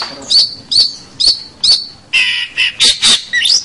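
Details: Long-tailed shrike (cendet, pentet) in full voice, recorded for training local shrikes; sharp, high squeaky notes repeated about every half second, then louder harsh chattering notes and a rising whistle at the end.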